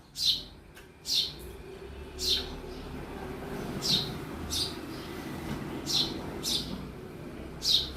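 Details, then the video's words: Inside a home, a sparrow repeats short, piercing chirps roughly once a second, with a steady low household hum underneath. "Real sound of sparrow in my house"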